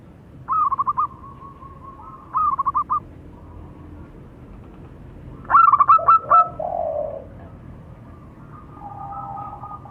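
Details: Local zebra doves in Indonesia, male and female, calling and answering each other: short bursts of soft, rapidly trilled cooing notes, several phrases overlapping as the birds reply, over a steady background hum.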